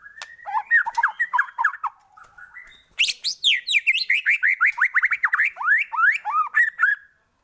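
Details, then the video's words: White-rumped shama singing in a lure track used to stimulate shamas; varied whistled phrases with quick up-and-down notes, a brief soft pause, then a dense rapid run of bright slurred notes. "pANCINGAN pendongkrak emosi burung murai batu cepat gacor mudah bongkar isian"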